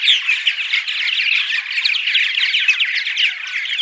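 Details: Purple martin dawn song, a studio recording played before dawn during spring arrival to attract martins to nest sites: a dense, continuous chorus of overlapping gurgling, chirping and creaky notes, steady and unbroken throughout.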